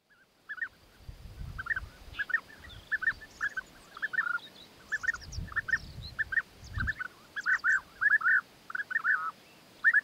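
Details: Courting European bee-eaters, male bringing food gifts to the female: a steady run of rolling, throaty trilled calls repeated roughly every half second, with low rumbling thumps in the background.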